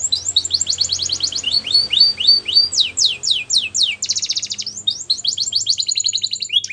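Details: Canary singing to train young canaries: dense, fast song of high descending whistles, rolled trills and a harsh buzzy tour near the middle, continuous throughout over a faint low hum.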